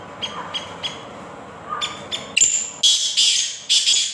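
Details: Sindhi kala teetar, the black francolin, called a speeder bird: a few soft clicks lead into loud, rasping, grating call notes packed together at the end, over low murmuring voices.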